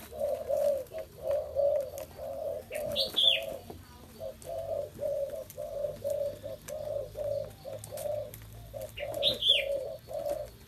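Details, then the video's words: Spotted dove cooing steadily: a long series of short, low, muffled coo notes with a brief pause, and two sharp high chirps from another bird. "Chim cu gáy"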